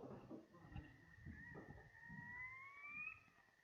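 Brown Quail giving a single long, thin whistle that rises slowly over about two and a half seconds, with a fainter lower tone beneath; low room rumble behind.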